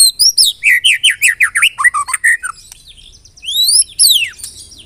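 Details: Murai batu lure song, used to trigger singing in other birds: a rapid series of loud downslurred whistles about three per second, a brief lull, then long sweeping upslurred and downslurred whistles.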